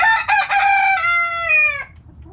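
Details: Rooster crowing in a backyard flock: two short choppy opening notes, then a long sustained harmonic crow that falls slightly in pitch before stopping abruptly.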